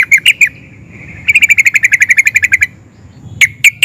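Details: Emotional, nonstop song of a sooty-headed bulbul, rolling nguplik and ngerol phrases meant to make other sooty-headed bulbuls answer. A few opening notes, then an even, rapid series of about fifteen bright repeated notes, a pause, and three final notes.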